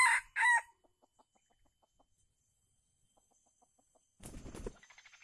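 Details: Red junglefowl (Gallus gallus), a very old wild male, gives a short, clipped two-part crow while being trapped with a decoy in Calang, Aceh Jaya, 12 February 2020; faint ticking clicks and a brief rustling burst follow.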